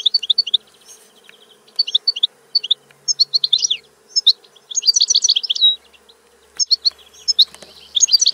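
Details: European goldfinch in song, delivering quick tinkling twitters and trills in several separated bursts, one dense rapid rattle near the middle, over a quiet background hum.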